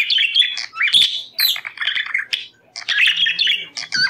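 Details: Budgerigar chatter used to stimulate breeding: mixed squeaks, short whistles and buzzy notes in quick irregular bursts, with a brief pause just before three seconds.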